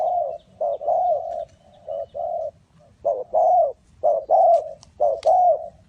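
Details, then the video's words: Spotted dove in Ninh Thuận, bird-trapping setting, calling with loud mellow coos in grouped phrases of two or three notes, roughly one phrase per second, against a quiet background. "Cu gáy Ninh Thuận"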